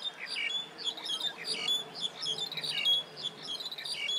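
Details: Calling grey-capped greenfinch in Hong Kong gives a steady stream of bright, high chirps and twittered trills, grouped in short phrases about a second apart, with sharp thin whistles scattered through.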